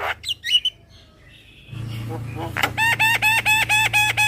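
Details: Javan myna lure call in the super kenyih style: after a quiet start with a few faint chirps over low hum, a run of about eight harsh, evenly spaced harmonic notes repeats roughly twice per second.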